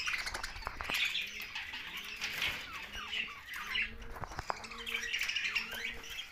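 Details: Flock of budgies keeps up low, steady scratchy chatter and squawky chirps. A faint repeated electronic-like tone beeps in the background about every half second.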